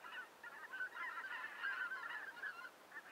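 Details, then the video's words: A wintering flock of Greater white-fronted geese, visitors from northern Europe, gives a continuous chorus of high, yelping, laughing calls from many birds at once, overlapping throughout. "Vogelstimmen: Die Blässgans - White front goose - Anser albifrons"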